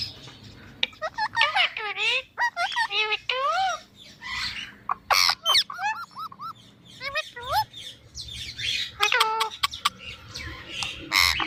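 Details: ['Ringneck parrot speaking in mimicry: rapid series of swooping, harmonic syllables in chattering bursts, separated by short silences, with a few harsh squawks.']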